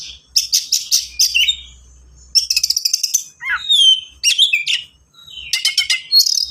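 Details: Oriental magpie-robin in fast, dense 'gacor speed rapat' song, used as a tutor song for young birds to copy: rapid bursts of buzzy, stuttering high notes mixed with whistled slurs, coming in quick clusters with brief pauses.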